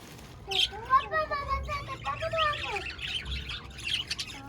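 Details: Budgies chirping, recorded 1 November 2023: chattering warble with sliding, speech-like tones and quick squeaky notes, fairly quiet with a low background hum.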